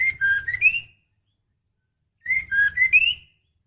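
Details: Female white-rumped shama in breeding condition calling a male: two matching phrases of short slurred whistles, dipping then climbing, each about one second long and separated by more than a second of silence.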